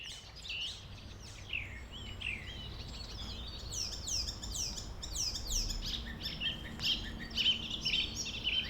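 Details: Icterine warbler (spotvogel) in the Northern Frisian Woods, Netherlands, a species found far more in alder-lined ditches than in wooded banks, sings a fast, varied jumble of high chattering, swooping and whistled notes, imitating other birds, over a low steady rumble.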